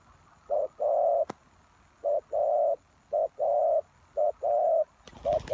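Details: Spotted dove lure call for drawing in wild doves: paired low coos, a brief note then a long flat sustained one, repeated about once a second, with a sharp click early on and a burst of handling noise near the end.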